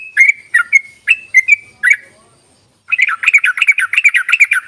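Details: Yellow-vented bulbul lure call for bulbuls slow to sing: several separate whistled, slurred notes at first, a silent pause near two and a half seconds, then a dense burst of rapid scratchy chatter.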